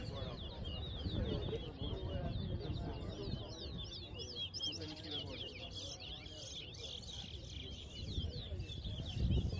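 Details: Towa towa birds singing at a whistling competition on Lamaha Street, Georgetown, Guyana: rapid high twittering whistles repeated throughout, partly buried under a loud murmuring crowd and a man counting aloud.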